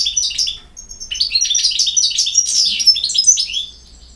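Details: European goldfinch singing a dense, fast twittering run of high tinkling notes with buzzy slurs, steady for about three seconds before fading, in a quiet setting.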